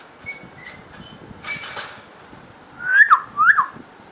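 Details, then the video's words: A talking common myna in Dhaka, Bangladesh, during heavy rain, being spoken to, gives two loud, gurgling whistled notes half a second apart after a few faint thin whistles, with steady rain hissing. "Talking mynah birds"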